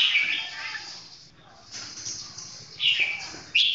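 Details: Red-whiskered bulbul singing slow, clear phrases: a warbled opening, softer notes through the middle, then two short bright bursts near the end.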